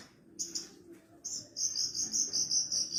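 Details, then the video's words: Javan bush lark song, used as a master recording for training other birds. A couple of short high chirps, then a sustained buzzy, slightly wavering high trill running steadily to the end. "MASTERAN BURUNG BRANJANGAN PARVA"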